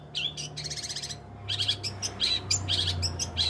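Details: Long-tailed shrike opening with a fast buzzy trill, then shifting to quick harsh chirps and squeaky notes, over low rumbling background noise and a steady hum.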